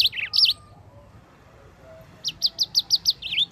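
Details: Yellow-fronted canary song meant for tutoring other songbirds: a few sharp high twittering notes, a pause, then a quick run of about eight evenly repeated bright chirps ending in a slurred note.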